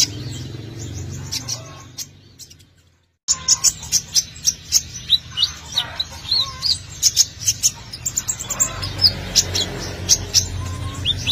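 Brown-throated Sunbird pouring out sharp, high, metallic chirps and twitters, several a second, over a low steady hum, with a brief break near the start.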